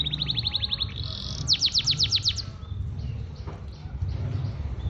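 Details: Canary singing in the morning while kept out in the open: fast, bright, regularly repeated trilled notes high in pitch, a steady buzzy trill, then a quieter fading stretch over a constant low rumbling background.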